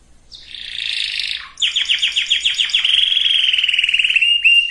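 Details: Canary singing to bring females and males into breeding condition. A harsh buzzy phrase gives way to quick downward-swept notes and a long, smooth, fast trill with a few rising notes at the close.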